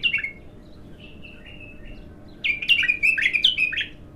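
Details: Young untrained bulbul in its first song: a brief falling whistle, a pause with faint soft notes, then a lively run of bubbly, slurred notes.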